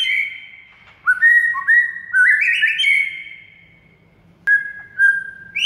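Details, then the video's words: White-rumped shama training song meant to make a quiet bird start singing: bursts of long, clear whistles that climb in stepped notes, a pause of over a second, then more held whistles rising at the close. "MURAI BISU AUTO GACOR DOR DENGAR MASTERAN SATU INI"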